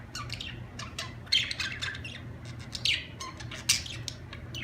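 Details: Budgerigar chirping: scattered squawky chirps and warbling notes, with loud harsh bursts near one and a half, three and almost four seconds over a steady low hum.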